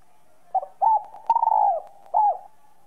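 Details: A spotted dove with a "son"-type voice gives soft, low, hollow coos in a run of about four notes, the longest drawn out and slightly falling, over a faint hum; the recording is meant to stir captive doves into calling.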